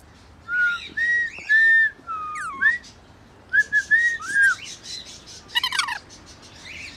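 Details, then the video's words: Rainbow lorikeet singing, said to be in love: flat and hooked whistles in short phrases, a swooping squeak, and a brief harsh rattling burst near the end. "Lorikeet rainbow singing song in love"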